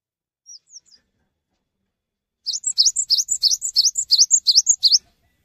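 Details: Cinereous tit in full, persistent song, calling other tits to join in: two faint high notes, a pause, then a fast ringing run of about a dozen sharp, high two-part notes repeated evenly for over two seconds.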